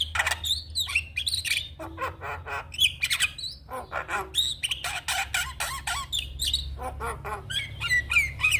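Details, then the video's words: Champion black-winged starling pouring out harsh squawks, grating chatter and sharp whistled slurs in a continuous energetic stream, with a low hum in the background. "Kicauan Jalak Kebo Juara"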